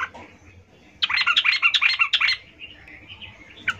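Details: A female yellow-vented bulbul calls to males as a lure, giving a fast run of bubbly, chattering notes for over a second, trailing into softer warbled notes over a faint hum.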